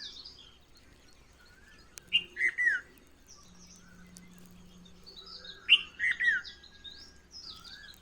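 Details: Wild birds in the morning: two short phrases of clear whistled notes, each a high note followed by quick falling slurs, spaced several seconds apart, with fainter chirps from other birds and a low hum behind.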